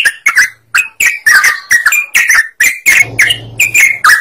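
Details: Lively sooty-headed bulbul song meant to draw other birds into singing: clipped, chattering whistled phrases in quick succession, with a low droning hum underneath partway through.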